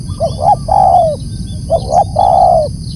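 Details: Two full phrases from a loud spotted dove, each a pair of short rising coos and a long smooth note sloping downward, about one and a half seconds apart, over low rumble.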